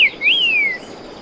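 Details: Streaked saltator song: one clear whistled note that dips, rises, then glides slowly downward for about half a second, over a soft, steady natural hiss.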